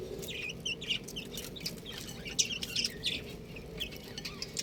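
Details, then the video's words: Domestic chicks peeping in a steady flurry of short, high chirps, many overlapping and slightly falling in pitch, over a constant low background hum. "Beautiful Chicks Chirping Sound"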